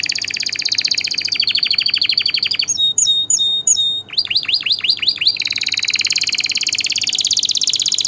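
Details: Canary tours meant to teach chicks and rouse birds for mating: a rolling trill, then clipped notes and a run of down-slurred whistles, ending in a long brilliant high trill.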